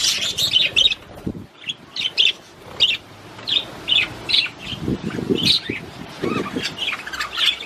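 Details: Budgerigar warbling to motivate the female to mate: scattered short chirps and chattering notes in bursts, with soft low rustling noises between.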